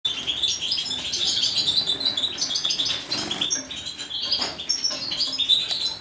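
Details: Breeding male European goldfinch of the major form, witkop mutation, giving a busy twittering song of high tinkling and buzzy fragments. A steady hiss and rustling sounds run throughout, with a brief louder burst midway.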